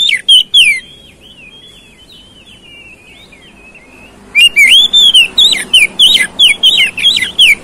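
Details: Oriental magpie-robin song used to provoke a fighting response: loud varied whistled phrases, a rapid burst of sharp notes, a softer run of warbled twittering, then a fast series of strong rising and falling whistles.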